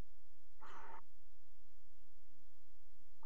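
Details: At a Dutch water-tower nest box, a barn owl pair mating on the rim in February gives one rasping, broadband screech of under half a second, with the start of another cut off at the end; quiet hum between.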